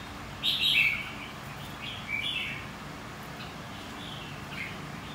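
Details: White-cheeked red-whiskered bulbul trained for competitive singing, giving a lively whistled phrase near half a second and a softer warble at two seconds over a steady faint hiss.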